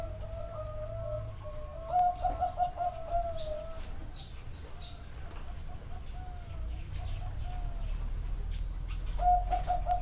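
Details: Zebra doves at a bird farm in Chana, Thailand: a phrase of quick, bubbling coos running into longer notes, softer cooing in the middle, and another rapid burst at the end, over low hum.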